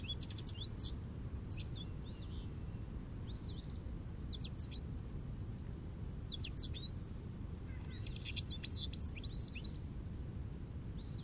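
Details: A jubilant American goldfinch sings from an Eastern Red Cedar: bright, high twittering phrases of quick rising and falling notes, some buzzy chatters, broken by short pauses, over a steady low rumble of background noise.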